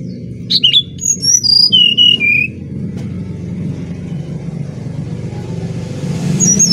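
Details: Brown-chested jungle flycatcher from Bali, singing for luring other birds: a series of pure whistled notes descending step by step, then steady low traffic-like rumble.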